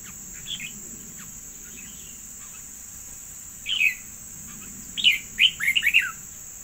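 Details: A decoy bird, a yellow bird said to sing well, gives a few faint, scattered chirps. Near the end it bursts into a quick run of five or six bright, descending chirpy notes. A steady high-pitched whine runs throughout.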